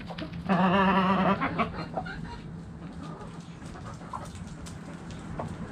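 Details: Backyard chickens in the coop: one loud, long harmonic squawk early on, then scattered quieter clucks over a steady low hum.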